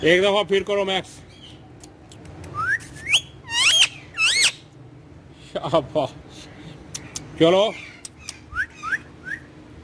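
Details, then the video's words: Green ringneck parrot having fun on a wall, talking in Urdu and Hindi, mixes voice-like choppy syllables with rising whistled chirps and harsh wavering squawks, with pauses between bursts. "Talking Parrot Speaking On Wall In Urdu Hindi | Cute Ringneck Green Parrot Having Fun On Wall"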